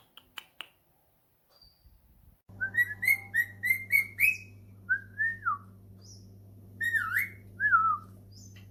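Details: Whistling while answering a phone call, a pet cockatiel gives a quick series of rising whistled notes, then wavering, looping whistles, over a constant low electrical hum.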